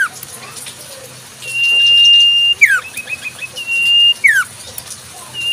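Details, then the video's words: Wild Common Iora song: drawn-out level whistles, each closing with a sharp falling note, over low background noise. "Burung Sirtu cipoh full suara asli Alam"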